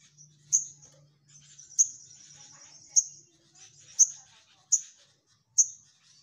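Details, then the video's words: Orange-headed thrush giving piercing high notes, each followed by a short trailing warble, repeated roughly once a second, about six times, over a faint low hum. "SogokOntong Gacor Nyecrett N3mbak"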